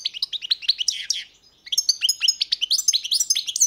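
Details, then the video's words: European goldfinch singing a rapid, tinkling twitter of short rising and falling notes. A brief pause near the middle is followed by a denser, higher run of trills and buzzy chips. "Pesma štiglića"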